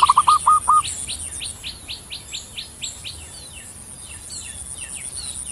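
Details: Zebra dove, a bird of Java, opens with a quick run of six clipped, low cooing notes, each sliding up then holding; afterwards only thin high chirps and twitters from other birds continue over a steady background hiss.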